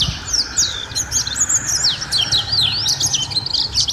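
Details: White-eye song from a long-duration training recording for caged birds: an unbroken run of high, twittering, slurred notes, busy and fast-paced.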